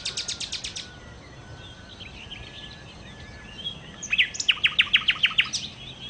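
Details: Nightingale song: a fast run of sharp, high, repeated notes, then softer scattered twitters, then a second loud burst of about eight clipped, ringing notes, over faint background hiss.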